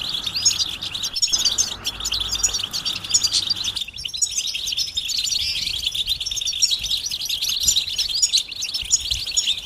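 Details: European goldfinches in a chorus of mating and readiness calls used to prompt silent males to sing; constant high, busy twitters and tinkling chirps overlap continuously, a low background hum fading out after about four seconds.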